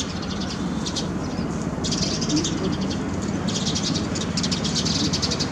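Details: Several sparrows on a terrace garden in the rain, chattering in long runs of rapid high chirps with short pauses, over a continuous rain hiss.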